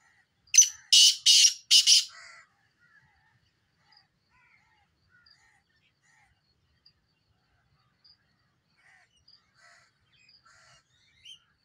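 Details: Black francolin phrase of four harsh, buzzy notes packed into under two seconds, followed by a long near-silent stretch with faint distant chirps.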